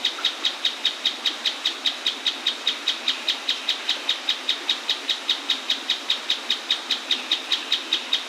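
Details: Monotonous song of a mouse-colored tapaculo next to an Atlantic Forest waterfall: clipped high notes repeated at a regular pace, roughly two and a half per second, for the whole stretch, with loud rushing water behind.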